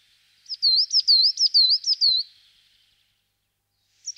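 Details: Coal tit song: a quick run of about six high, bouncy, repeated whistled notes, each swooping up then down, lasting under two seconds, followed by silence and a faint final note.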